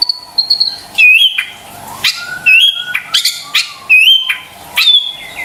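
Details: White-rumped shama lure song for stressed or quiet birds: a soft trill, then loud short whistled phrases alternating with sharp clicking bursts, each phrase separated by brief pauses.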